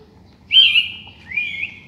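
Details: Sooty-headed bulbul singing melodiously in the morning: two clear, loud whistled notes, the first a bright sustained whistle and the second a lower, wavering slurred note, heard against near silence.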